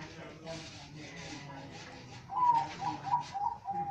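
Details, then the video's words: Zebra dove from a collection with varied voices and types of cooing: after a murmur of background talk, one rising opening note and then four or five quick, evenly spaced coos. "Perkutut master gacor"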